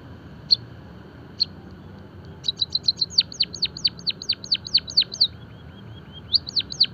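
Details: Java sparrow song, recorded as birdsong training and stimulation material: a few isolated high chirps, then a fast run of sharp, downward-sweeping chip notes repeated about three per second, with a faint low hum underneath.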